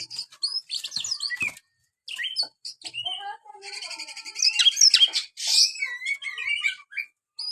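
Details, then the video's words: Caged white-rumped shama (kacer) in a rapid varied song of bright whistled slurs, sharp chips and dense buzzy rattles, phrases broken by short pauses. "buat burung Kacer anda yang malas bunyi"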